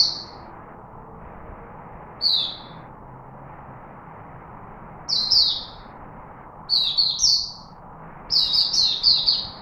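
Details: Chickadee singing in Singapore: high, pure notes given singly at first, then in quickening groups of two to four, with each phrase separated by silent gaps. Steady low hum in the background.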